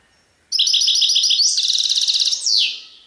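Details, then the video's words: European goldfinch song in the Serfati Tiwawati style. Evenly spaced high chirps run into a long, dense metallic trill, which ends in a downward-sliding buzzy note. "تغريد حسون سرفاتي تيواواطي"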